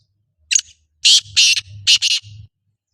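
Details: Calling black francolin: a short scratchy note followed by two loud, grating doubled phrases, over a low steady hum.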